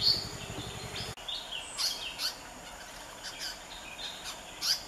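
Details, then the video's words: Grey-headed bulbul in Goa, 2014, giving brief, high, chirpy notes at irregular intervals over steady background hiss, with a low rumble in the first second. "Grey-headed Bulbul"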